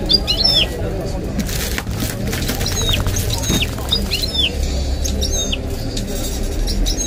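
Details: Goldfinch mule delivering bright, clipped whistles and slurred notes in irregular phrases, said to mix in nightingale and other birds' songs; a man talks steadily in Arabic beneath.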